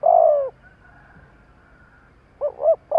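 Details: Decoy spotted dove in calling practice: a single long falling coo, silence for nearly two seconds, then a quick wavering two-part note and the start of another coo.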